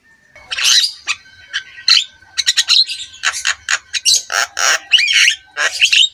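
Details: Javan myna master song, played to stimulate lazy mynas into singing, full of varied fillers: a rapid series of harsh squawks, buzzy bursts and short rising whistles, loud and dense, with brief pauses between phrases.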